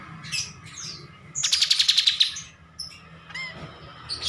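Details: Bulbul called kapas tembak in a song-training master recording. Brief chirps lead into a rapid, dry trill of about a dozen quick pulses, then scattered high squeaks and a short upward whistle.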